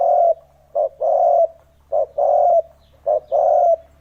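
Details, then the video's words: Three clear spotted dove phrases from a lure recording for wild doves, each a short coo followed by a longer steady one, evenly spaced, over a faint constant low hum. "Âm thanh kích chim cu gáy"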